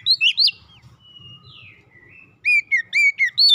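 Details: Kept Oriental magpie-robin in song meant to get other kacer singing: three bright whistled notes, a long thin gliding whistle, then a rapid string of five loud, clear, slurred whistles over faint low background hum.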